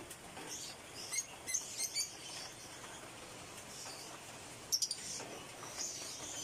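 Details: A wild yellow-vented bulbul (Pycnonotus goiavier) sitting out slow rain gives a few short, sharp chirps, a cluster early on and another near the end, over the steady hiss of falling rain.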